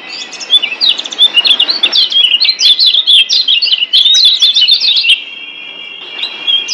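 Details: Kecial kuning white-eye from Lombok, master song meant to rouse silent caged birds into singing: rapid, jumbled high chirping twitters tumbling for several seconds, then a few steady thin whistles.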